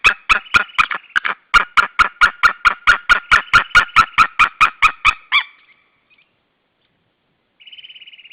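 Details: Wild White-tailed eagle pair screaming together at their Saunja nest in Estonia, 16 March 2013, 12:38, male having just landed on a branch beside the female; long series of loud, harsh, evenly spaced yelps, then silence and a faint distant trill.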